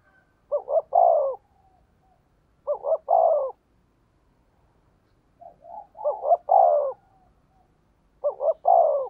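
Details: Repeated decoy coos of a spotted dove in the fast 'thổ' voice: four phrases roughly every two seconds, each two short low notes and a longer falling one, softer short notes before the third.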